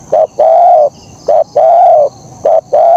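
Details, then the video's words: Spotted dove (terkukur) singing vigorously in the kuk 1 style, clean and clear: a short coo then a long, level, hoarse coo, repeated three times in three seconds against a quiet hiss. "Suara Burung Kicau Terkukur Gacor KUK 1🔥🔥Suara Bersih Jernih dan Penawan"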